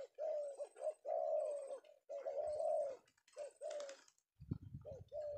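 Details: Indonesian male tekukur (spotted dove), trapped in the afternoon, gives drawn-out husky coos with shorter notes between, then a low thumping noise near the end.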